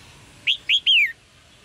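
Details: Red-whiskered bulbul chirping to stimulate a male's singing: a single quick phrase of three rising-then-falling whistled notes, the third drawn out and sweeping down.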